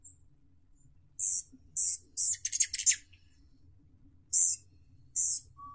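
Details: Rufous hummingbird (Selasphorus rufus) giving sharp, very high squeaky chips, single and paired, with a quick run of scratchy descending buzzes in the middle and quiet gaps between.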